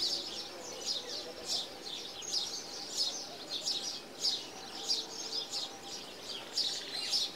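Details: Green Bee-eater in India giving a run of short, high, trilled notes, about a dozen bursts roughly every half to three-quarters of a second, with a steady faint hiss behind.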